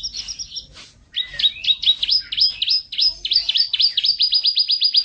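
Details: Canary song in long close-set rolls: after soft opening notes, rapid hooked notes rise and fall about four per second, quickening toward the end into a tight high trill.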